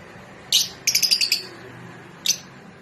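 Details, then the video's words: Mating call of Rosy-faced and Fischer's lovebirds to encourage breeding: one shrill chirp, then a fast string of five bright twittering notes, and a final sharp chirp. "أقوي صوت لتزاوج طيور الروز والفيشر"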